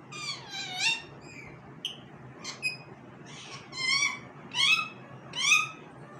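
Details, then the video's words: Talking pet parrot indoors giving a run of harmonic, squawky calls, several rising or falling in pitch and voiced in short bursts about once a second, with a quieter gap in the middle and low room hum behind. "Talking parrot"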